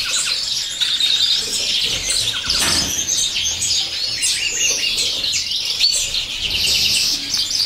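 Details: Begging from a common chaffinch chick as the female feeds it: insistent, high squeaky chirps pour out almost nonstop, with rising whistled squeals and a few louder bursts mid-way.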